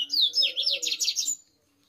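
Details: A captive double-collared seedeater in an aviary, singing a lot at almost 7 a.m., sings a quick, sweet warbled phrase of about six rapid, sliding high notes lasting just over a second, then falls silent.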